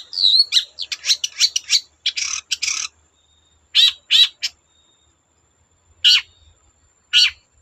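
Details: Long-tailed shrike singing to draw other shrikes into song: an opening whistled slur, a fast run of harsh rasping notes, then a few spaced scratchy calls after pauses.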